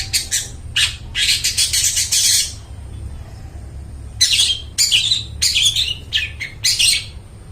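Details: Long-tailed shrike song used to coax mute shrikes into singing: a harsh rasping flurry, a short pause, then more scratchy bursts and quick chattering notes.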